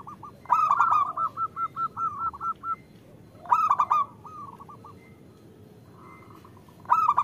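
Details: {'text': 'Zebra dove, a female calling the male, used as a lure for lazy local singers; a loud burst opening a steady train of about ten short coos, then a second shorter series and a final burst.'}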